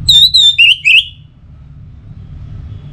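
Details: Orange-headed thrush, known locally as anis merah, sung as pacingan for caged birds in northern Bali: four loud whistled phrases, the first two level and high, the last two lower and warbling, then quiet.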